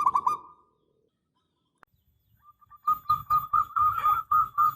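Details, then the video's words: Local zebra dove in persistent song for luring a reply: a brief trilled coo, near-silence with a small click, then a steady series of pulsed cooing notes over a low, rumbling background. "Perkutut lokal GACOR suara besar"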